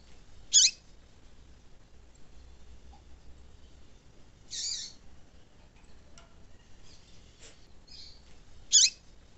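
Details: Female double-collared seedeater calling to excite and warm up a male so he sings; three short, sharp, high chirps, one at the start, one midway and one at the end, with near silence between them.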